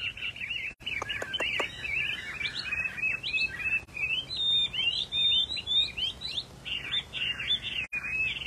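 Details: Highly prized rare Chinese hwamei, a pale silver-patterned variety known for fine singing, delivering lively, varied warbles and sharp whistled notes with a few brief pauses, over a constant low mechanical hum.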